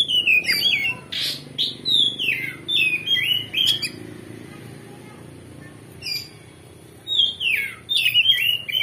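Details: Loud, full-repertoire oriental magpie-robin song played to provoke another bird into answering: rapid whistled downslurred notes and chattering bursts in close phrases, then a pause of about two seconds before another vigorous burst of whistles.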